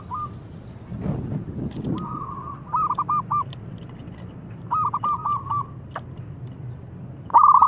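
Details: Local Indonesian zebra dove, a keen singer, calling to challenge rivals to answer: bursts of quick, clipped, bell-like cooing notes in two series with soft lead-in coos, then a loud final note, over a steady low rumble.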